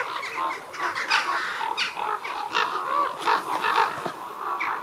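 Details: Common ravens, over 200 birds gathered at a communal roost, audio boosted: a dense, continuous chorus of harsh, overlapping croaks and caws, with rough calls bursting out every fraction of a second and no other sounds standing out.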